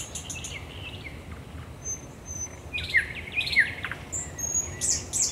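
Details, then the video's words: Quieter stretch of common nightingale night song, Raszyn Ponds, 10 May 2021: scattered high thin whistles and a few sharp downslurred notes over a hissy background. "Nocny śpiew słowika rdzawego"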